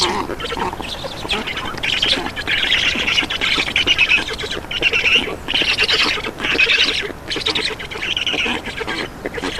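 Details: Black stork young begging at their nest in Estonia during a feeding visit, afternoon of 2 June 2019; loud, hoarse squawking phrases of rapid pulses, separated by short breaks of about half a second.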